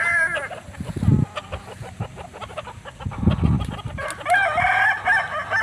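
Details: Kukuak Balenggek rooster from Solok, West Sumatra: a brief crow at the start, then a wavering crow near the end. Between them are thumps, rustling and clattering background noise.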